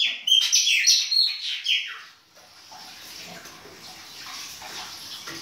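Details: A burst of quick, ringing whistled notes from a Chopi blackbird singing in winter, baianinho style, lasting about two seconds, then a hissing, water-like background noise.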